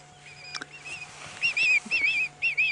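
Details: Recorded hooded vulture call played back quietly near hooded vultures at sunset on a South African safari drive, 31 July 2016: thin, wavering squealed whistles with hissing in three short bursts about half a second apart, over a low steady hum.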